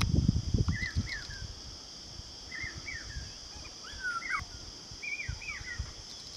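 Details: Indian paradise flycatcher, male and female, giving short, bright chirped notes in small bursts every second or so, over a steady high insect drone and low rumbling noise.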